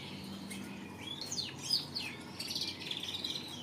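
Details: Canary song in the "Merlok Setvol" style: quick whistled sweeps rising and falling, then a rapid run of short repeated chirps near the end, over a steady low hum.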